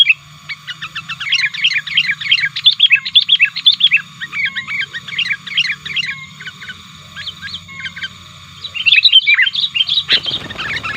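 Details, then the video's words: Sooty-headed bulbul calling actively and challenging rivals, used as a lure for wild birds; busy bursts of bright, bubbling whistled notes and chirps, pausing briefly mid-clip before another rapid flurry, with a sharp click near the end. "Pikat Burung Kutilang 100% Asli Gacornya Aktif Menekan Lawan"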